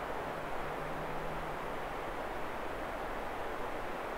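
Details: A steady, broad rushing roar like fast-flowing water runs throughout, with a faint low hum and no animal voice.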